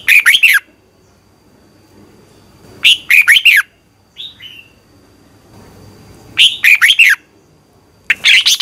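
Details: Red-whiskered bulbul in morning competition song used for bird training: four fast, bubbly phrases of several chirped notes every two to three seconds, with a soft, down-slurred thin whistle between them.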